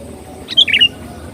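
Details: Sooty-headed bulbul lure song: one brief, rich phrase of three or four quick bubbly whistled notes, against a quiet low background hum.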